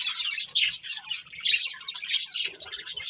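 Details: Budgies of a breeding pair give quick, raspy, high chirps and warbled buzzes in a rapid pulsing string, a few faint low knocks in the background.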